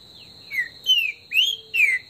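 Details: Trinca-ferro, or green-winged saltator, in Brazilian woodland singing esquenta, its warm-up song: four rich whistled slurs, falling, falling, rising, falling, evenly spaced, over a continuous high-pitched hum.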